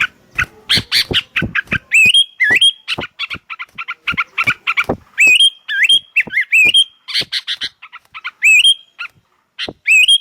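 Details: Sooty-headed bulbuls calling back and forth: a busy stream of sharp chirps and clicks broken by bright, rising whistled phrases that bend upward, repeated many times across the stretch.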